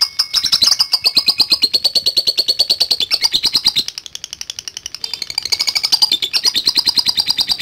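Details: Lovebird in extended ngekek chattering meant to provoke rival birds: continuous quick high scratchy pulses at a steady pace, with a brief softer stretch near the middle before resuming strongly.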